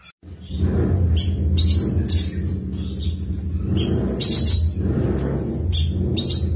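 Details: Cucak cungkok in ngebren singing, delivering short high chirps and clipped whistles in quick bursts over a steady low rumble of background noise.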